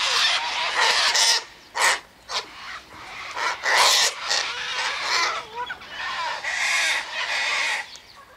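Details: Raucous, overlapping screeches from sulphur-crested cockatoos eating birdseed, wheat and sunflower seeds tossed out near an eastern gate, rough bursts repeated in quick succession.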